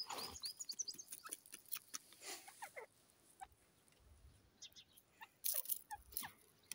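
A grey francolin gives scratchy, clucking notes and short downward-sliding squeaks in uneven bursts, with a louder harsh flurry near the end.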